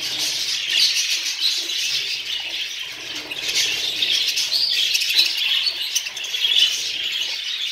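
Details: Texas mutation budgerigar chicks at a breeding setup chatter in a steady, high-pitched stream of warbles, chirps and squeaks, tagged as a mating and breeding-stimulation sound.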